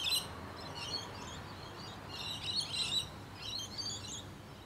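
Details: Rainbow lorikeets in Australia heard at a distance, giving thin, shrill chattering screeches in three separated clusters against a soft background hiss.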